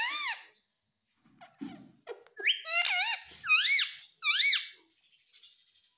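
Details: Baby rose-ringed parakeet kept as a pet, giving a run of loud, squeaky, harmonic calls that arch up and then down, about five calls in quick uneven succession with short gaps, plus a few faint clicks.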